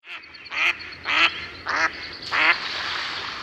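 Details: Mallard (Anas platyrhynchos), quack.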